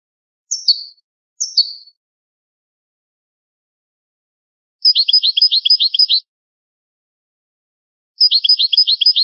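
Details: European goldfinch singing in the old style: two thin descending call notes, then two rapid rolling trills of repeated tinkling chirps, each about a second long.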